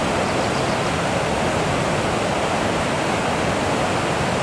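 Steady, unbroken rushing noise like a waterfall or fast stream, even in loudness throughout, with no bird or other animal call standing out.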